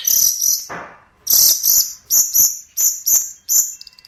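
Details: Long-tailed shrike song used as a master recording for training birds: short, very high, buzzy bursts repeated in quick groups, separated by brief pauses, with no other clear sounds.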